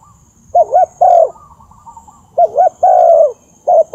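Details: Lure recording of a spotted dove: twice, a quick wobbling two-part coo runs into a sustained, gently descending hoo, with a faint low rumble underneath.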